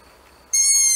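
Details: Barn owl: a loud, harsh screech starts suddenly after a quiet moment and carries on steadily to the end.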